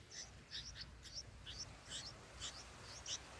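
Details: Baby bulbuls in a nest being fed green lizard eggs give about a dozen quiet, sharp, high chips in brief pairs, against a faint low hum.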